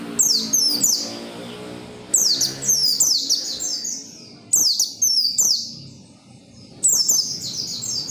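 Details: Persistent oriental white-eye song used to stir other white-eyes to sing: four bright, high bursts of tumbling, downward-slurred notes, each phrase about a second long with quiet gaps between.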